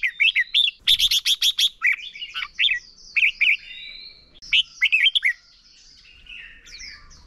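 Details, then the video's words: Red-whiskered bulbul singing competitively as a lure bird for training: a whistled phrase, a rapid chirp burst, then bubbly rising and falling whistles, fading to faint high notes. "Chào mào mồi hót đấu quá tuyệt!! - Luyện giọng Chào mào hót hay ép bổi sổ bọng và căng lửa."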